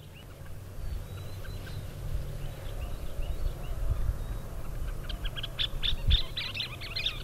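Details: Scissor-tailed Flycatcher calling: a few faint sharp notes early, then a quick burst of high, clipped chattering pips near the end, over a steady low rumble of wind or distant traffic.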